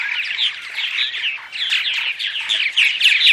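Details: Purple martins giving morning vocalizations meant to attract other martins: dense, overlapping gurgling chirps and rich warbled notes in a steady chattering stream, several birds calling at once with no pause.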